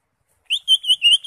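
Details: Short burst of song from a caged green leafbird, played to prompt a quiet bird to sing: four clear, high, wavering whistled notes in quick succession.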